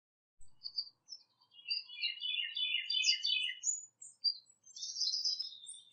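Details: A male red-winged blackbird with a pale yellow wing bar, in North America, gives a run of quick, high chirps and squeaky, chattering notes, with a brief buzzy burst near the end.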